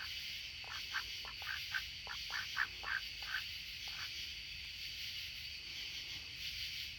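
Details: Two Rouen ducks in the dark before bedtime give a quick run of about ten short, nasal quacks over three seconds, then go quiet against a steady background hiss.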